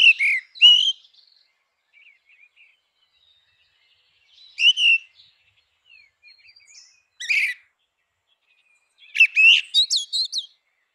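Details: Grey-winged blackbird singing in natural habitat: short whistled phrases with fluty, warbling notes, delivered in separate bursts several seconds apart, ending in a more complex twittering phrase; otherwise quiet.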